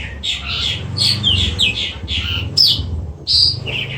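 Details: Oriental magpie-robin singing a varied run of loud whistled and slurred notes, bright phrases clustered high with short gaps, over a steady low hum in the background.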